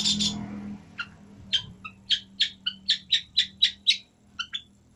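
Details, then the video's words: Long-tailed shrike giving a steady run of short, sharp chip notes, about four per second, slightly buzzy and evenly repeated, after a brief harsh burst at the start; a low steady hum underneath. "Burung pentet unik.."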